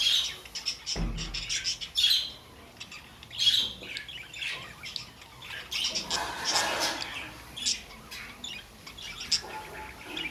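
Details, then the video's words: Pet budgerigars giving harsh squawks and scratchy chirps in short bursts, with several louder calls near the start and middle, plus a low thump early on and faint background murmur. "budgie sounds"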